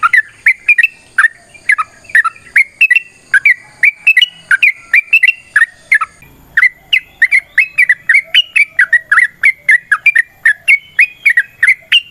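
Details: Sooty-headed bulbul in a long fighting song used to prompt other birds to sing; a sustained, rapid series of bright, slurred whistles for twelve seconds, with a short break and faint thud around six seconds.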